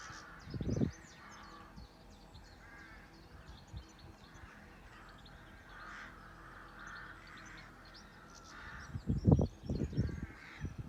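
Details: Farm birds in a restful countryside setting: fairly soft harsh caws repeated across the recording with faint high chirps above, broken by loud low knocks at the start and near the end.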